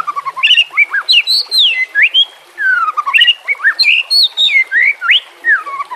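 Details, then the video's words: Varied White-rumped shama song for training silent birds, with stated nature and water sounds: tumbling sequence of whistled slurs rising and falling, sweet and continuous, mixed with brief high chips. "Terapi Murai Malas Bunyi Dengan Pancingan Mewah Isian Terbaik"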